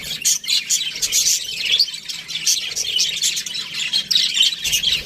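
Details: Budgies in an aviary chatter constantly: high warbling chirps and scratchy squeaks in rippling bursts from several birds at once.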